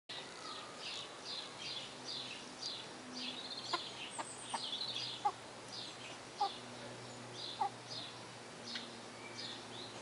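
Lineolated parakeets chatter in soft, high chirps and short twittering notes, about one a second, over a low steady hum and a few sharp clicks.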